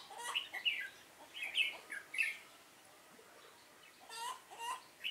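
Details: Caged decoy Red-whiskered bulbul used to trap wild bulbuls, recorded 7 September 2018, giving its fighting song: short bright warbled phrases spaced under a second apart, then a pause and more chirpy bursts, with faint background calls.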